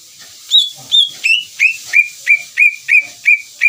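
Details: Greater green leafbird singing to provoke another leafbird into answering: a series of loud, clear whistled notes about every third of a second, the first ones higher, then settling lower with a slight downward slur, steady and repetitive.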